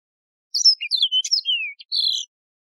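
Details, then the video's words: Single phrase of Yellow-fronted canary song, a wild canary known for its resonant voice: bright whistled notes slide downward, broken by short buzzy clicks, and the phrase ends in a sustained high trill. No background sound. "شريط تغريد البسبوس الموزمبيقي"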